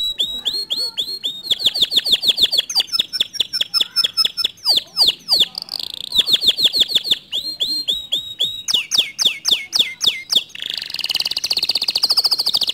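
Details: Canary song used to stir a quiet canary into singing: fast varied phrases of repeated sweeping notes, trills and rolling buzzy passages, ending in a dense rapid trill.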